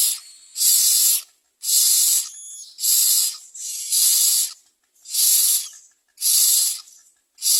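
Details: Myna chicks waiting for their mother to bring food give harsh, hissing begging rasps, each about half a second long, repeated nearly once a second in a steady chorus.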